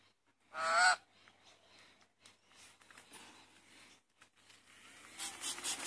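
A lorikeet gives one loud, harsh, honking screech lasting about half a second, followed by quiet rustling and a burst of noise near the end.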